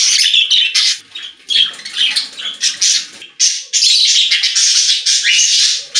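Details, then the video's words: Budgies singing inside a pet store, a dense nonstop flock chatter of harsh chirps, squeaks and scratchy warbles, loud and overlapping, with only brief dips. "Budgies singing in Pet Store | Parakeet Sounds"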